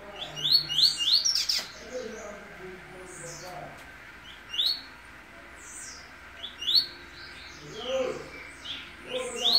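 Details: Double-collared seedeater coming out of moult in a cage, delivering repeated bursts of sharp rising whistled notes, several phrases spread across the recording with brief pauses, over a steady low background hum.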